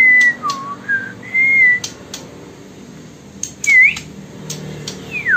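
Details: Sumatran white-rumped shama from Bengkulu city gives short whistled notes, some flat and some dipping, a rising slur, then a long falling whistle, with scattered clicks between phrases.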